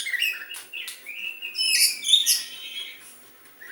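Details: Oriental magpie-robin imitating a sooty-headed bulbul, giving loud ringing whistles and slurred rising and falling notes in quick phrases, then a quieter tail with faint chips.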